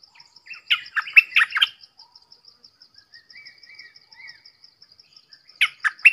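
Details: Red-whiskered bulbul delivering a short, loud burst of chirpy whistled notes, then soft thin slurred whistles, and a second brief chirpy burst near the end, with regular high-pitched ticking throughout.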